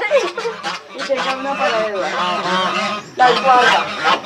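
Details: Noisy geese at a countryside house among other animals honk repeatedly in overlapping, wavering, nasal calls, with a short pause near the end before another loud burst.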